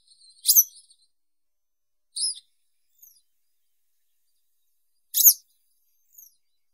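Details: Western yellow wagtail singing: loud high chirps at intervals of one to three seconds, each followed by a faint soft note, with a brief soft twitter at the start.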